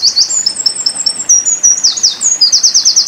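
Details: Eurasian wren (Winter Koning) singing in tembakan style, used as a tutor song for pleci: a rapid, high, loud run of sharp trills and twittering notes with no pause, ending in a fast rattling trill.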